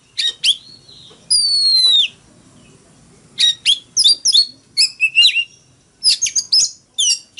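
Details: Fighting song from a caged Oriental magpie-robin: a long, loud descending whistle opens, then after a pause come clusters of sharp chirps and brief whistled notes.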